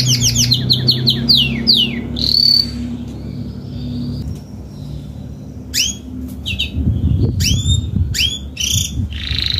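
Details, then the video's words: Adult Spanish Timbrado canary singing salsa style: quick descending swoops and a short whistle, then scattered chirps and downward-slurred notes separated by gaps, with low rustling in the background. "CANTO CANÁRIO SALSA ESPANHOL/ESPANHOLINHA"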